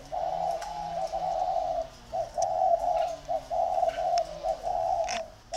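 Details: Two competing spotted dove decoys coo almost continuously in a steady stream of mellow notes, broken by brief pauses, over a constant background hum.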